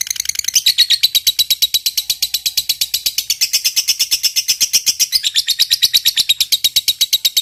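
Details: Continuous long 'ngekek' chattering by a fighter-type lovebird: rapid, evenly spaced, buzzy high-pitched notes, about three per second, with small shifts in pitch across seven seconds of unbroken trilling.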